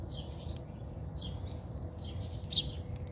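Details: During a backyard fight in South Africa, house sparrows utter quick, slurred high chirps, roughly three short bursts in three seconds, over a low, steady hum.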